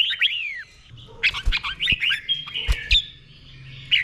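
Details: Red-whiskered bulbul with doubled-style song used as a copying model for caged birds: a falling whistled slur opens, then chattering warbled phrases mixed with a few low thumps and clicks.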